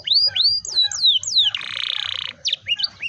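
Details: Canary singing to prompt young canaries: a few slurred rising and falling whistled notes, then a harsh buzzy rattle for under a second, then scattered short whistles; low hum in the background.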